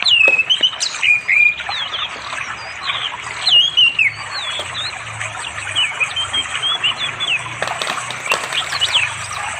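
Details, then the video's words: Orange-headed thrush singing sweetly to attract a female for mating, afternoon, by a river in unspoiled village forest, East Java, Android recording; fluid rising and falling whistled phrases with short pauses, and an ever-present low hum. "The sound of the red anis bird chirping melodiously in the still beautiful village forest"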